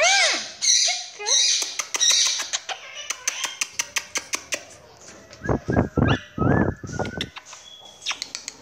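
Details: Pet Quaker (monk) parakeet calling for its owner, "mommy"; sharp clicks and rising squawks, then loud harsh screeches in a cluster, with high thin whistles indoors.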